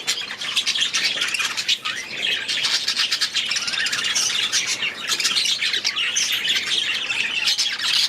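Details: Flock of young budgerigars released into a new aviary, first days; continuous busy high-pitched chattering and squawky chirps from many birds at once, no pauses.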